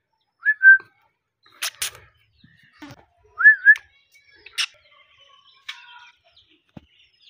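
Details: Alexandrine parakeet kept as a talking parrot, giving two clear whistled phrases, each rising then wavering, about three seconds apart, with scattered clicks, a short harsh burst and faint tonal notes between them in a quiet indoor setting.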